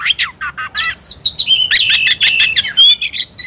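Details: Kacer, or Oriental magpie-robin, roused to fighting mood: rapid clicks and short falling notes lead into a bright run of sustained whistles mixed with harsh buzzy bursts.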